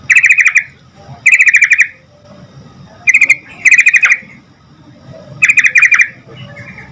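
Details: Sooty-headed bulbul with lively song meant to make other bulbuls answer quickly: four loud bursts of rapid, bubbly chattering notes, each about half a second long, separated by quiet gaps.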